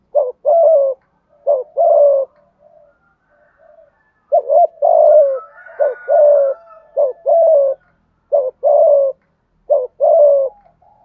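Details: Spotted dove in thúc gù giọng thổ style, used to rouse a decoy bird, cooing steadily: about seven low two-part phrases, each a quick warbled note and a drawn-out falling coo, with brief pauses and faint softer notes between.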